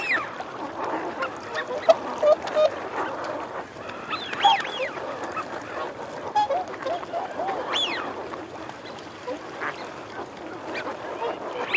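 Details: A flock of Eurasian wigeon, both sexes: short clipped notes early on, then paired arched whistles near the middle and a clear whistle later, all over a rough background of low growling calls.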